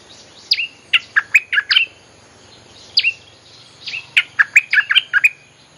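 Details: Bulbul lure song used to call wild birds: lively runs of rapid, liquid chirps and slurred notes, rising and falling, delivered in two dense phrases with a brief gap.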